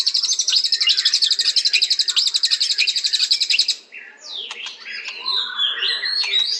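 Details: White-rumped shama song opening with a long, rapid high-pitched trill of evenly repeated notes for nearly four seconds, then shifting into slower, varied whistles and slurred, warbling phrases.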